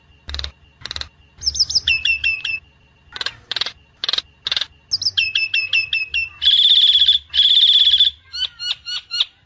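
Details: Nias hill myna lure song for prompting loud singing: sharp clicks, runs of clipped whistles, two long harsh buzzing notes, then a scatter of thin whistled pips.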